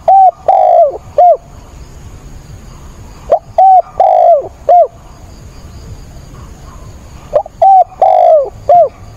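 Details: Spotted dove used as a caged decoy, cooing eagerly through a rainstorm on 28 October: three repeated phrases roughly every three to four seconds, each a quick note, a steady hoot, a long falling coo and a clipped finish, over rain hiss.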